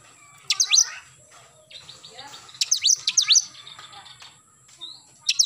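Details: Oriental magpie-robin in morning song, giving clusters of fast, sharp down-slurred whistles in bursts about two seconds apart, with soft warbling in the gaps.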